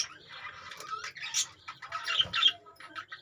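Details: Caged budgerigars giving a brief burst of warbled chirps and scratchy squawks, irregular and overlapping, with a soft thump midway.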